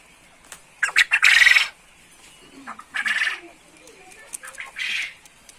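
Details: Trained male quail singing in the chattering ceketer style, ready to be hung up. Rapid clicks lead into a loud, rasping burst, then two softer, harsh bursts spaced about two seconds apart.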